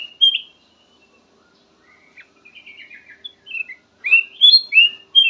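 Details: Black-crested bulbul singing loud slurred whistles, a softer scratchy warble in the middle, then a burst of rising and falling whistled notes.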